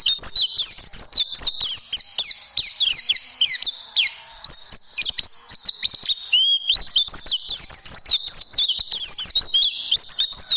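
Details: Oriental white-eye song used as a tutoring recording for training caged birds. It is a fast, continuous high twittering of sharp up-and-down whistled notes, run together in long rambling phrases with a brief dip in the middle.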